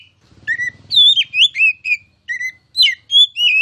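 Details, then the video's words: Masteran song of a kacer, the oriental magpie-robin, a contest candidate: clear whistled notes, some sliding down and some sweeping up, given in short separate bursts over a faint low hum. "KICAU MASTERAN KACER CALON JUARA!!!"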